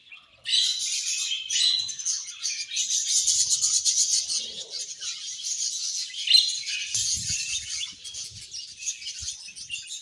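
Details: Budgies eating, with a thick, rattling wash of rapid high chirps and chatter that runs steadily from start to finish, plus faint low knocks.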